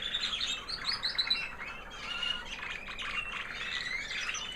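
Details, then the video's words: Singing female canary of the American Singer breed, white, proven 2009 hen that raised babies last year, after the molt: soft, high twittering and warbled notes, steady and fairly quiet. "Singing canary FEMALE - Proven 2009 American Singer white hen"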